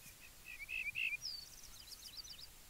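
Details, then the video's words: A brief yellow-breasted bunting phrase: soft, then louder repeated whistled notes, then a higher descending slur. Faint twittering continues afterward over quiet outdoor background noise. "Как поет дубровник (Emberiza aureola)"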